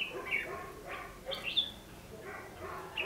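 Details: Red-whiskered bulbul, fighting song used in trapping: a few loud, slurred whistled notes in quick clusters, with a sharp rising note near the middle, over low background hum.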